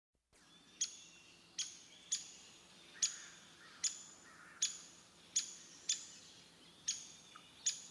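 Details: A Downy Woodpecker, the smallest backyard woodpecker, whose call sounds smaller than the Hairy Woodpecker's, gives about ten sharp, high, thin "pik" notes, spaced unevenly about one per second, over a faint hum.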